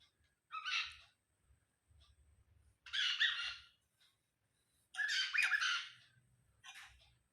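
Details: Pet cockatiel acting possessive toward wild birds, giving three loud, raspy, noisy squawks spaced about two seconds apart, with a fainter shorter one at the end; low rumbling background between calls.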